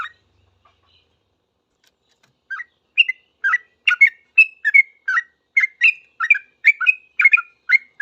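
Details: Sooty-headed bulbul starting after a quiet pause, then breaking into rapid bubbly whistled notes in reply to other bulbuls, about three per second.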